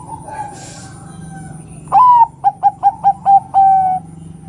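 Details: Female zebra dove (perkutut), Bangkok type, calling to prompt males to sing: a rising opening coo, then five quick clipped cooing notes and a longer drawn-out final note, all mid-pitched, over faint low background hum.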